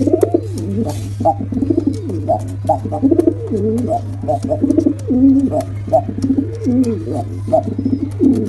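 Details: Male and female pigeons making a combined attack sound. Dense, rolling, throaty cooing with rising and falling phrases roughly every half second, over a steady low hum.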